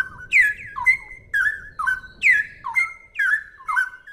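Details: Cucak rowo, the straw-headed bulbul, singing brisk 'ropel' phrases of bright whistles that slur downward then hold a level note, roughly two phrases a second; a low murmuring noise runs beneath. Presented as clear song for tutoring birds.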